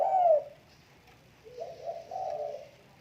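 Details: Tame spotted dove cooing indoors: a loud, low, mellow coo that slides down, then a pause and a softer run of two or three connected hollow coos.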